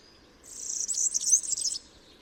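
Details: A single rapid, high-pitched, glittering twitter from a European Serin lasting just over a second, the notes tumbling together in a dense jingle.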